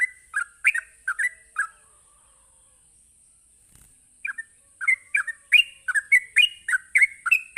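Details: Ropelan song of a sooty-headed bulbul, a fast song meant to provoke rival bulbuls. Bubbly warbled notes come in bursts, pause for about two seconds, then return faster and louder. A constant high whine sits behind them.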